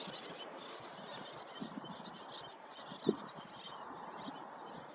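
A flock of Greater Flamingos keeps up a constant goose-like gabbling of low, overlapping honks, with one louder honk standing out near the middle.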